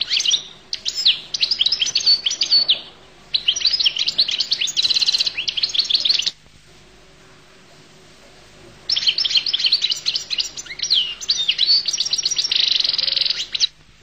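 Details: Long bursts of bright, tumbling goldfinch twittering, mixing chirps and buzzy trills, separated by a pause of about two and a half seconds.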